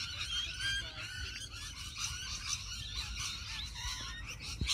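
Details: A flock of rainbow lorikeets in a tree, filmed on a ZTE Nubia Z7 Max phone. Dense, overlapping shrill screeches and chirps run continuously from many birds at once. A low background rumble sits underneath.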